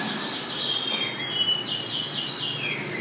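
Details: Wambi singing, recorded as a tutor for songbirds: drawn-out whistled notes that slide downward, several overlapping in a smooth flowing phrase over steady low hiss.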